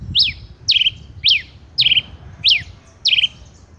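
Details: Male Rufous-collared sparrow giving six sharp, loud notes that sweep up then down, several ending in a short buzzy trill, repeated about every 0.6 seconds over a faint low rumble.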